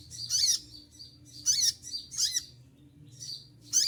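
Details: Olive-backed sunbird singing in moult: sharp, piercing high bursts in close succession, each with a brief downward curling note beneath, low room hum behind.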